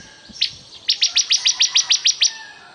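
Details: Ciblek kristal, the bar-winged prinia, delivering one crisp run of about ten high, evenly spaced ticking notes over a faint steady buzz.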